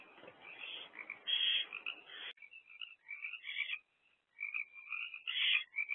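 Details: Wild barn owl family at a nest box, mother and two oldest owlets perched, 1 am, 7 April 2024; a breathy hiss gives way to rapid, twittering chitters rising and falling.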